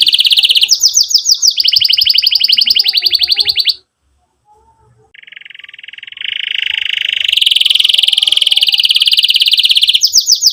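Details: Canary song for training young canaries and restarting silent singers: bright rolling trills with downslurs, a brief silence, then a lower roll building into a loud high trill and renewed slurs.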